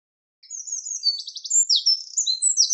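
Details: Eurasian wren delivering part of its song: piercing high twitters followed by a fast mechanical trill and bright, emphatic notes, starting after a short silence and still going when the sound cuts off.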